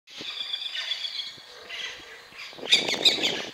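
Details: Scarlet-throated tanager at Curvelo, Minas Gerais: rough, squawking notes run in a rapid chattering series, then a louder burst of harsh, noisy calls with a few sharper accented notes near the end.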